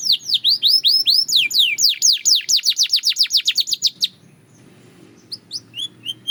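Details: Belgian canary in song practice: a fast run of rhythmic down-slurred whistled notes for four seconds, then a pause and a few scattered high chirps.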